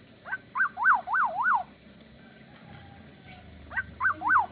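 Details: Lively Bali-style kepodang (black-naped oriole) song of two phrases, each a run of four or five looping whistles that rise and fall, separated by a pause of about two seconds.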